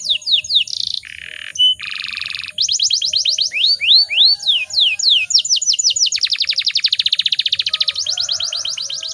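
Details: Female canary in breeding condition, calling to provoke males to sing: buzzy harsh blocks and short whistles open the phrase, followed by looping upslurred notes and long, fast, steady trills of high clipped notes.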